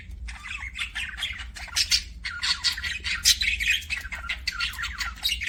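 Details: Budgerigar chirping in a continuous, lively stream of scratchy warbled notes and sharp high squeaks, pausing only briefly, with a low hum underneath.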